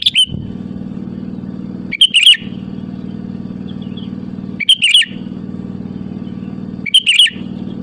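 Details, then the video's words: Sooty-headed bulbul calling rivals in full song, used as a lure: short, bright, bubbly phrases repeated roughly every two and a half seconds, with quiet gaps filled by a steady low hum. "SUARA ASLI BURUNG KUTILANG GACOR MEMANGGIL LAWAN AMPUH UNTUK PANCINGAN BIKIN LAWAN LANGSUNG NYAUT"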